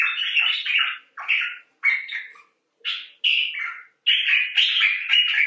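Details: Common bulbul (Pycnonotus barbatus) 'talking' in harsh, chattering bursts of scratchy notes, several phrases about a second long with short pauses between them.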